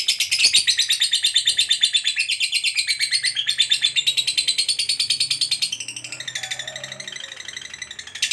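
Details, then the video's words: Lovebird long trill, ngekek panjang, used to prompt other lovebirds to trill: rapid harsh chattering pulses about three a second pour out nonstop, stay loud then soften and shift lower toward the end, with a faint low hum indoors. "SUARA BURUNG LOVEBIRD NGEKEK PANJANG TERAMPUH BUAT PANCINGAN LOVEBIRD AGAR CEPAT NGEKEK GACOR"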